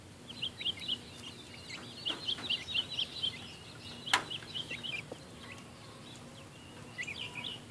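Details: Baby Silkie chickens in a chicken tractor on a farm: thin, high peeps repeated in quick clusters, softer toward the end, over a steady low background hum, with one sharp click near the middle.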